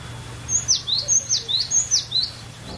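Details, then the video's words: Captive cinereous tit singing a varied phrase used to stimulate other birds; crisp high whistles alternating a flat tone with a steeply dropping sweep, about five quick pairs in under three seconds, with low hum beneath. "Pancingan Paling Ampuh ! Ocehan Burung Glatik Batu Variasi"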